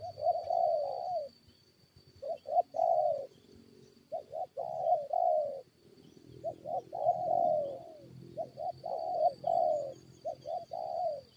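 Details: Low, mellow coo phrases from spotted doves during a luring fight with wild birds, each group of quick short notes ending in longer drawn croos, repeated several times with brief silences between groups.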